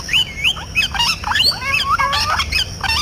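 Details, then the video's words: Parrot making a busy string of squawks and chirps: quick arched and falling notes, several per second, with some longer level whistled tones mixed in. The calls are dense and overlapping throughout. "talking parrot Natural 🦜 sound voices"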